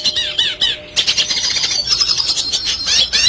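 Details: Red siskin singing in the classic vigorous 'gacor' style, recorded as a master track for training other birds to sing: rapid, high, twittering phrases of short slurred notes with a brief pause near one second, then denser continuous chatter.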